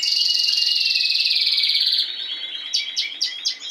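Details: Spanish timbrado canary, kept in a cage, delivering a fast high rolled trill that slowly drops in pitch, followed by sparse sharp chips.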